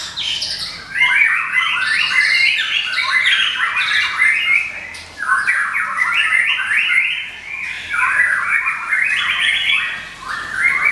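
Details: Caged white-rumped shama from Medan singing without pause, used to lure and train birds; harsh rasping chatter phrases repeated in bursts, each cluster of scratchy notes followed by a short dip before the next.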